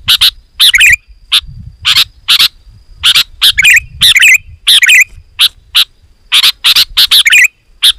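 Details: Sooty-headed bulbul calling vigorously and densely, played to draw in wild birds: harsh chirps and twangy, downslurred notes in uneven runs, with soft low background noise.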